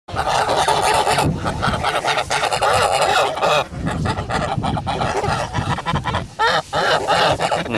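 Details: A flock of Kholmogory geese on a farm, recorded 10 August 2017, honking almost without pause. Harsh, nasal, overlapping calls come from several birds at once, with brief dips in loudness between bursts.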